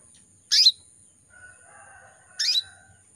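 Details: Female canary in breeding condition calling to males: two short, bright chirps, each a fast downward-sweeping burst about two seconds apart, with a faint low whistle between them and a steady high hiss throughout.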